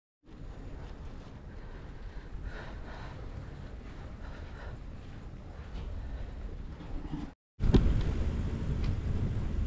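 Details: Wind buffets the microphone over a low engine and water rumble, then a short dropout near the end is followed by louder, rougher wind noise.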